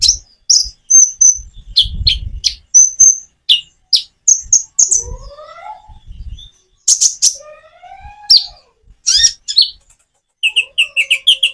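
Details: Song of a common iora, delivered with natural pauses to draw other birds into singing. Sharp high chirps are spaced by gaps, with lower rising whistled glides in the middle and a quick run of repeated notes at the end.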